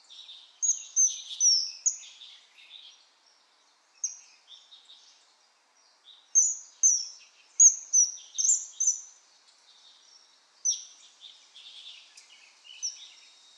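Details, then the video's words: Common kingfisher repeating piercing high whistles in quick bursts of two to four notes, with short pauses between the bursts and softer chattering notes underneath. "Vogelstimmen: Der Eisvogel - Kingfisher - Alcedo atthis"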